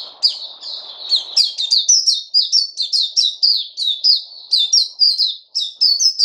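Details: Caged white-eye (puteh) fed fruit, recorded 29 August 2020, delivering a continuous fast stream of high, sharp, downward-slurred chirps that run steadily throughout, with a brief low rumble at the start.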